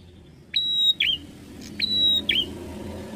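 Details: Bar-winged prinia delivers two quick phrases, each opening with a sharp upward note into a steady, piercing high whistle and ending in a brief down-up flick, under a faint low background hum.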